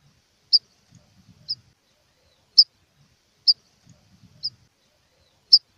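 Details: Rufous-collared sparrow giving an aggressive call, used to prompt other birds to sing: short sharp high chips repeated at irregular intervals about one second apart, with faint low soft thumps between them.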